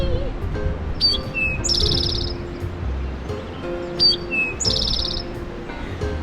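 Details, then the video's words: Eastern towhee song likened to "Drink your tea": a sharp high note, a lower note, then a fast buzzy trill, given twice about two and a half seconds apart, with soft background music. "For example, the eastern towhee sounds like it's saying, "Drink your tea.""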